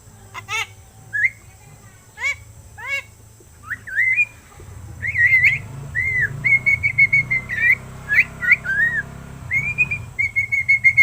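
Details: Young pet myna, around seven months old and said to be starting to speak, produces a few harsh rasping calls, then a long run of clear wavering whistles repeated about once a second over a low hum.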